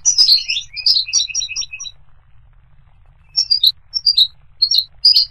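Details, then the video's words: Goldfinch song: a busy, tinkling jumble of high chirps and short trills, stopping for over a second before resuming in separated sharp twittered notes. "The Resonant Chirping of the Goldfinch Bird"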